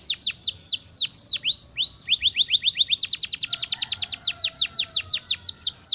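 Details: A singing canary delivers quick descending whistles that speed into a fast, even trill of sharp falling notes, with a faint low hum underneath.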